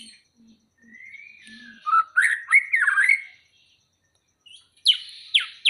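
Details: Aceh white-rumped shama, ready for competition, gives a rising whistle followed by warbled slurred notes, a pause, then sharp high descending chips.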